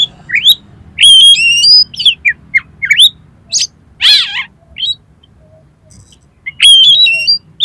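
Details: Kacer (Oriental magpie-robin) song played to spur another kacer to sing and spread its tail: bright rising whistles, layered high tones and a harsh wavering burst, phrases separated by short pauses.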